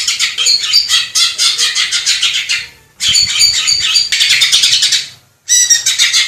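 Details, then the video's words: Greater green leafbird (cucak ijo) song recorded in the wild in Indonesia: dense, harsh, chattering bursts of rapid notes lasting two to three seconds each, separated by short silent gaps. "KUMPULAN SUARA MASTERAN CUCAK IJO JERNIH"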